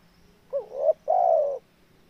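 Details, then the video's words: Mellow spotted dove phrase of a wavering rising introductory note followed by one sustained, gently descending coo, with only a soft hum behind. "TEKUKUR SUARA JOSS..!!"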